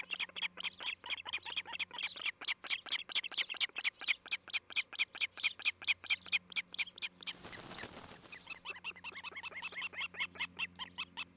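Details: Osprey pair at their new nest near Charlo, Montana, on a nest camera, morning of 11 July 2018, during nest building and mating season: rapid series of sharp, high chirps, about two per second, with a brief burst of broadband noise midway.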